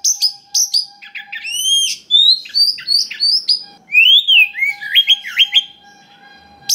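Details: Forest-sourced white-rumped shama singing a richly varied song to prompt other shamas: sharp high chips, stacked rising whistles and rapid trilled phrases, fading to quiet at the end, with a faint steady hum.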